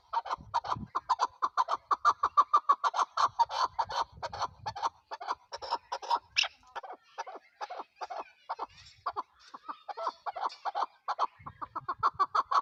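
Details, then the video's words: Chukar partridge, the national bird of Pakistan, calling in a long run of rapid, clucking notes about three per second, steady and chattering throughout, with a brief low rumble near the start. "chakor ki awaz zark awaz"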